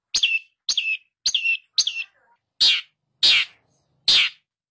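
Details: Long-tailed shrike singing vigorously as a lure for a shrike that has stopped singing: four sharp notes, each with a short trailing whistle, then three longer rasping, scratchy bursts, evenly spaced about every half second.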